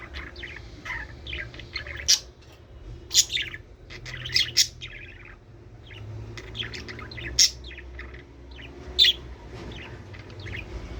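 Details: Budgerigars chattering to stimulate breeding: a dense, continuous run of quick high chirps, squeaks and warbled notes with several sharp louder peaks. A steady low hum sits underneath the busy twittering throughout.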